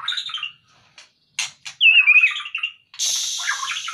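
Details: Male white-rumped shama taken out of its cage, singing varied whistled phrases: descending notes, sharp clicks, a bright warbled trill and a loud buzzy burst at the end.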